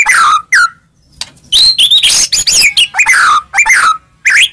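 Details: White-rumped shama lure song for rousing a silent shama: loud, varied bursts of slurred whistles and scratchy chatter with short pauses between phrases.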